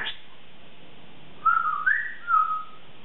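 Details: A 3.5-year-old female Congo African grey parrot, kept indoors, whistling during her morning routine: three short warbling whistles in quick succession after a brief silence, each wavering up and down.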